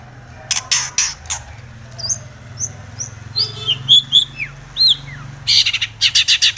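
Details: Aggressive Long-tailed shrike singing in search of a rival: bursts of harsh rasping notes bracket a middle stretch of thin, quick whistled slurs and chips, over a steady low hum.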